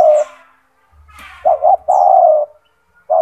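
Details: Big-voiced spotted dove, a kept bird recorded to train other doves, gives a deep coo phrase: a double short coo then a long level coo. A brief low buzz and faint bird chirps are heard.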